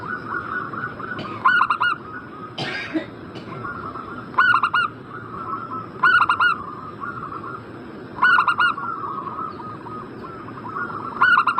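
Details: Zebra dove call played to provoke a bird in breeding condition into answering: short bursts of four rapid, ringing cooing notes repeated roughly every two seconds, with low continuous warbling and one sharp noise in between.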